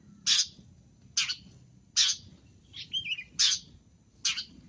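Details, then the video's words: Long-tailed shrike cendet masteran in full-isian gacor style: loud harsh screeching notes roughly once a second, broken by one softer, wavering warbled phrase, with low background noise. "MASTERAN BURUNG CENDET FULL ISIAN GACOR"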